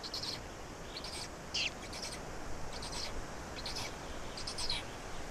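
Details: Black storks feeding in Estonia on 16 May 2019, 12:47: a run of scratchy high-pitched bursts roughly every second, one with a short descending squeak, over a steady noisy background.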